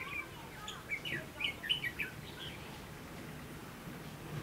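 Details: Red-whiskered bulbul used as a decoy to trap wild birds, recorded on 22 October 2016: a burst of bright, quick whistled and chirped notes over about a second, then quieter background with low hum.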